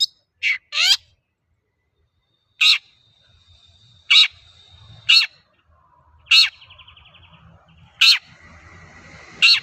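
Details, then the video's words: Long-tailed shrike singing as a lure for other shrikes: sharp downslurred notes, then harsh grating calls about every second, with a faint sustained whistle and a short trill mixed in. "Suara burung cendet gacor untuk pancingan cendet bahan"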